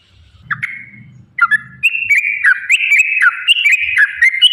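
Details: Sooty-headed bulbul song meant to draw caged birds into singing: a few hesitant whistled notes over soft rumbling, then a lively run of clear, bouncing two-pitch whistles with sharp clicks.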